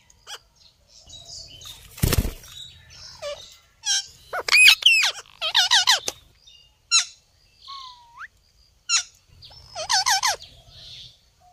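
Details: A green ringneck (rose-ringed parakeet), a hand-tame talking bird, gives bursts of harsh, wavering, speech-like chatter and a short rising whistle, with a sharp knock and soft wing flutter between phrases.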